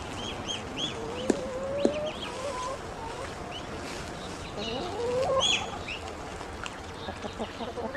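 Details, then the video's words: Grown ducklings making hungry calls: sparse short high peeps and two brief rising whistles over a soft background hiss, several birds calling at once. "Ducklings have grown and are making more sounds, especially when hungry"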